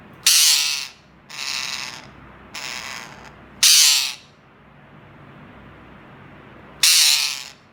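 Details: Pet green parrot screaming loudly: harsh, raspy screeches about half a second long, three in quick succession and then two more after a pause, with quiet background hum between.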